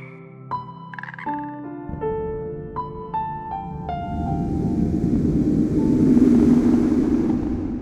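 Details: Piano and keyboard notes play a stepping melody that swells into a dense music wash, with no animal voice.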